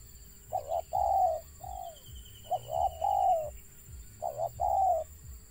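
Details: Stuttering call of a wild zebra dove, three phrases of broken, rolling coos, short choppy notes running into longer falling ones, over a faint steady hum.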